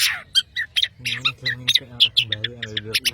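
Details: A Madura long-tailed shrike sings energetically: bursts of sharp, high chirps and harsh notes repeated in quick succession, with a steady low humming tone beneath.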